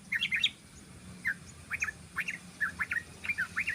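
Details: Yellow-vented bulbul in rapid 'ropel' style song, used as a lure to attract birds: short chirpy notes, some in quick clusters, others spaced about every third of a second, over a low background hum.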